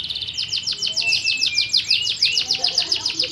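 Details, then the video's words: Fighting canary training song: quick, repeated high downward-swept chips over a thin steady whistle, a continuous chattering run of notes. "Masteran burung Kenari Petarung"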